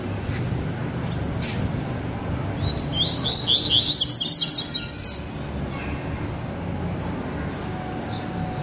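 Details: A double-collared seedeater pours out a loud, dense baderna phrase of rapid high chirps for about two seconds mid-clip, with scattered faint notes before and after; a second bird is present.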